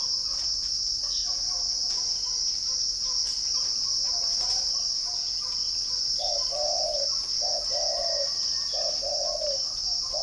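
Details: Spotted dove kept at a bird farm in Ba Vì, Hanoi, northern Vietnam, cooing in the second half: a few phrases, each a short note followed by a longer falling coo, under a loud steady high insect drone.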